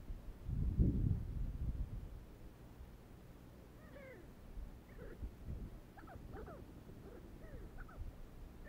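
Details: Pterocles sandgrouse, desert birds: a loud low thump at the start, then from about four seconds a run of soft, curved, chirping notes, several overlapping as if from more than one bird, over low background rumble.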